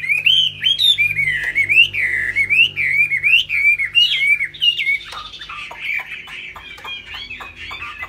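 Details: High song from a bowing, tail-flapping laughingthrush with a large fig-leaf tail: undulating whistled notes repeated about three times a second, turning into rougher chattering in the last seconds.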